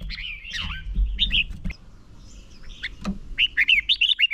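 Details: Red-whiskered bulbul decoy for singing-contest training; scattered slurred whistles and a dipping note, a loud click midway, then a quick run of bright chirped notes at the end over a low rumble.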